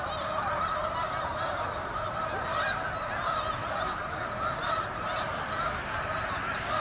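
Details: November flock of Canada geese at South Utica Reservoir, New York, calling in a busy wall of honks, many birds at once, harsh and nasal, steady throughout.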